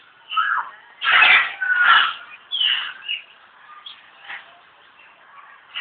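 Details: African grey parrot at the zoo in Alipore, Kolkata, India, giving a series of harsh, squawky calls with whistled tonal notes, loud bursts in the first half fading into softer chatter.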